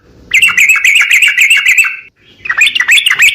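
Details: Sooty-headed bulbul calling energetically: a dense, rapid, scratchy chatter of repeated notes, broken by a short pause before the rattling run resumes.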